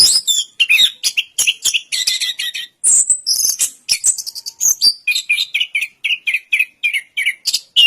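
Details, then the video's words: Orange-headed thrush (anis kembang) singing a busy string of buzzy, scratchy notes, a brief pause, then a run of short whistled slurs repeated several times per second, each slightly varied. "Suara Burung Anis Kembang Durasian"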